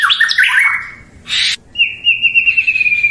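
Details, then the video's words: Short burst of white-rumped shama song: a few quick tumbling notes, a harsh noisy note, then a long, steady high whistle held for over a second. "MURAI LAWAN PASTI IKUT EMOSI DAN LANGSUNG NYAUT"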